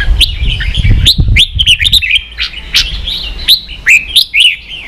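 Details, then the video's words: Red-whiskered bulbul in competitive song, caged: snappy whistled phrases with rising and falling slurs, clustered clicks early on over low rumbling noise, then spaced bright notes. "Chào mào kích đấu căng lửa chơi cực hay"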